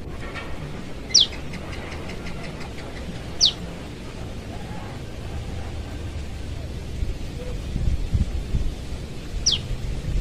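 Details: A young forest prenjak lumut prinia calls its parent, giving three quick, thin, descending notes. Two come close together early, and one comes after a long pause, over low background noise.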